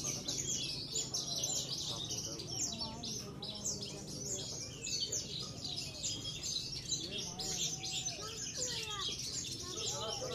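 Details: Javan bush lark, a trophy-winning contest bird from Cilacap, singing a dense, high, buzzy warble of rapid chirps and trills, while other birds give lower whistled slurs in the background.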